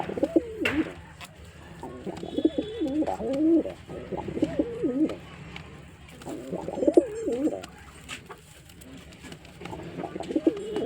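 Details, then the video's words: Male white pigeon cooing in a repeated performance: low, warbling coo phrases in bursts about a second long, separated by short pauses, with faint clicks and room noise behind. "Pigeon Sound Effect"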